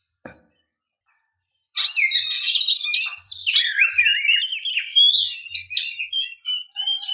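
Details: Oriental magpie-robin female calling to rouse males: after a faint click, a long continuous outpouring of sliding whistles, trills and buzzy notes that moves up and down in pitch.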